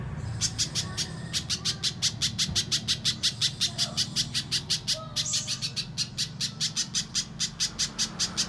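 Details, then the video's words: Mbeset-style pijantung pisang spiderhunter, contest-training master: a quick burst of high chips, a tiny pause, then a long fast series of sharp repeated notes, with a faint softer call briefly beneath. "Top Masteran Burung Pijantung Pisang Mbeset Suara Jernih Yang Disukai Juri Lomba"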